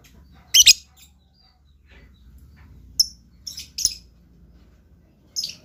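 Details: Blue lovebird in lively voice, giving short, piercing high chirps, a quick double burst early on, then scattered single and paired chirps with long quiet gaps and a faint low hum beneath.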